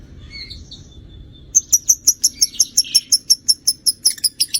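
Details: Lovebird calling: a few soft twittering notes, then a steady run of piercing high chirps, roughly four per second, over faint low background noise.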